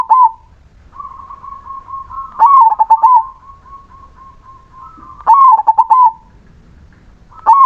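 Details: Melodious 'crossing' zebra dove song in bouts: a sustained mellow tone breaks into a quick burst of staccato coos, repeated about every three seconds with quiet pauses between.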